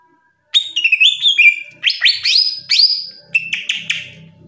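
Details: Greater green leafbird, a top national-ranked songbird used as a masteran tutor song: bright, varied whistled phrases, sliding and stepping notes rising and falling, delivered in quick bursts with short gaps.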